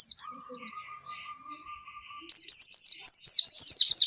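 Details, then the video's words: Long continuous pleci song of an oriental white-eye, played for captive white-eyes: a few high notes, a steady lower tone in the background, then a rush of bright, rapidly repeated zigzag whistles. "Suara Pleci Gacor Ngalas Panjang ini Yang bisa Bikin Plecimu Cepat Ngalas"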